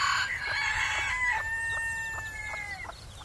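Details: Spring crow of a white bantam Phoenix rooster: a loud, strained opening burst followed by a long, level, slightly falling note held for over two seconds, with soft chick peeps underneath.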